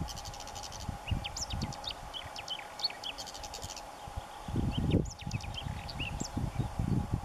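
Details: Whinchat (Saxicola rubetra) song recorded during a common bird monitoring visit in 2021: short, scratchy phrases of high chirps, whistles and buzzy notes. Steady wind rumble and a faint hum run underneath.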